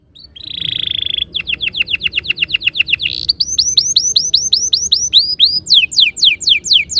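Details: Canary song meant to trigger fast rolling ngerol singing: a buzzy flat tone opens, followed by a run of rapid downslurred whistles, then hooked rising-falling notes repeated about four per second.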